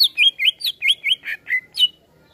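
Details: Greater green leafbird reacting to a played sound, singing eight loud, rich looping whistles in steady rhythm, about four per second, each slurring down then up, ending in a brief trill.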